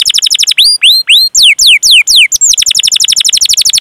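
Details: Canary singing a long, lively 'cuit cuit' rolling song used as a lure to prompt young, untrained or silent canaries to sing: rapid high chips, then slow downward-sweeping whistles, then a fast even trill.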